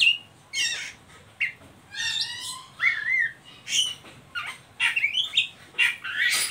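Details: Oriental magpie-robin giving ngeriwik song, a lure for young birds to start singing; varied whistles, a wavering mid-pitched warble, rough squawks and quick high chips follow one another in a lively, unbroken sequence.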